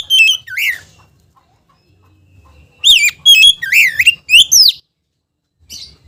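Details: White-rumped shama, kept as a cage bird, singing a song used to provoke other shamas into singing: loud whistled and buzzy phrases, a short burst at the start, then a dense run of rising and falling notes after a pause, ending faintly.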